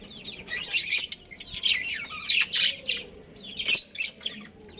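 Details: Budgerigar breeding pair and family: loud, scratchy chirp bursts in spaced clusters, with short quiet gaps and a faint low hum between.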